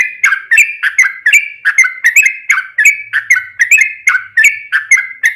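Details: Yellow-vented bulbul in long 'ropel' lure song meant to provoke other bulbuls into answering; lively chattering phrases of slurred, gurgling notes, repeated rapidly and almost without pause across the whole stretch.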